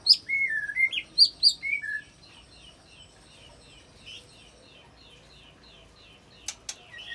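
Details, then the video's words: Mimicking White-rumped shama used to stir other fighter shamas into singing, giving cililin and canary fills: about two seconds of loud sliding whistles, then faint high repeated notes and two sharp clicks near the end. "Langsung Emosi Bongkar Isian Murai Isian Cililin Sambung Kenari Ngerol Panjang"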